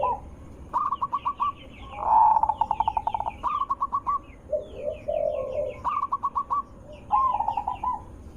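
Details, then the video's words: Zebra dove lure recording, loud melodious voice meant to make other zebra doves answer: quick bursts of clipped, stuttering coos, with lower rolling cooing phrases between and faint overlapping higher notes. "langsung Nyaut Panik dengar Suara Besar Merdu ampuh untuk pancingan burung perkutut"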